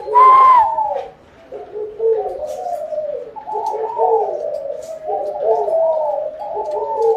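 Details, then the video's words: Spotted dove cooing, a call said to summon a rich harvest; a brief higher note opens, then low mellow coos follow in linked phrases of about a second each. "Tiếng chim cu gáy gọi no, mùa màng bội thu"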